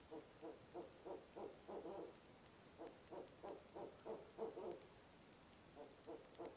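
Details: At a nest box in the small hours of November, a barred owl produces its monkey call, a fast train of about twenty short hooting notes in loose bursts that swell and bunch together before trailing off.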